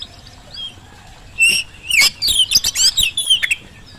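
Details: Oriental magpie-robin singing as a lure for birds that are slow to sing: a quiet start, then a loud, rich outpouring of quick whistles, trills and scratchy chatter.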